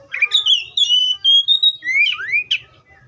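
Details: One continuous Oriental magpie-robin phrase: a long, gently wavering whistled note, then two upward-sliding swoops and a sharp chirp, over a faint low hum.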